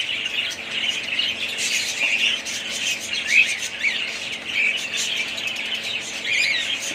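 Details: Group of budgerigars from one family twittering nonstop, scratchy warbling chatter punctuated by several brief whistled chirps that sweep upward.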